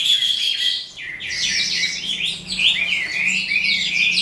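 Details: Evening song of an eastern calandra lark (psammochroa): dense, rapid twittering and scratchy high notes pouring out without break, faint low hum beneath.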